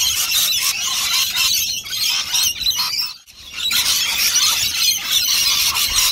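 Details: Rainbow lorikeets feeding as a flock on nectar at lunchtime call in shrill overlapping screeches, the chorus dropping to near silence around three seconds, then rising again.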